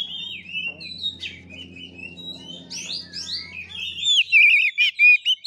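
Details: Oriental magpie-robin singing in fighting style: thin whistled slurs and scattered notes over a low mechanical hum, ending in loud rolling trills and clear repeated whistles.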